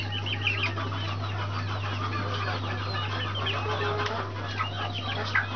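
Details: Several Brahma chicks giving thin, high cheeps in an irregular stream over a constant low hum and light rustling.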